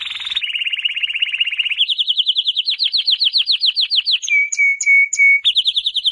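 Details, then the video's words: A canary sings a run of rapid rolling trills at several speeds, climbing in pitch, then a few pure whistled notes and a final quick trill, with no other sounds. "Canary Singing"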